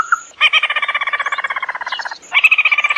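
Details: Red-eyed bird calling in lure audio: a brief whistled note, then a dense, rasping rattle of rapid repeated pulses. A short pause follows, and the rattle resumes at full strength.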